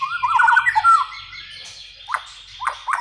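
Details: White-rumped shama song used as a training and lure recording to get young untrained birds singing freely: a fast warbled phrase of rolling, looping whistled notes, then three short, sharp descending notes spaced about half a second apart.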